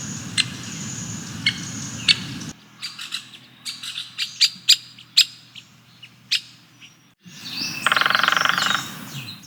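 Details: Stripe-breasted Woodpecker in forest at Phawngpui National Park, Farpak, Mizoram, India, giving sharp, high, clipped call notes at an irregular pace, then a brief, rapid drum roll near the end, over a low forest hum.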